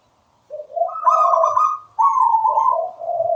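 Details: Local wild-type zebra dove singing actively and melodiously: a short run of rapid, bubbling coos, first low, then rising to a higher rolling phrase and falling back to low warbled notes, in a quiet setting.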